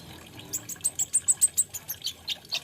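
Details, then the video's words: Olive-backed sunbird (kolibri ninja) giving a quick series of about ten thin, very high chips in steady rhythm, fading toward the end. "BIKIN GEMES SUARANYA BURUNG KOLIBRI NINJA / KONIN INI.INDAH DAN PENUH ISIAN"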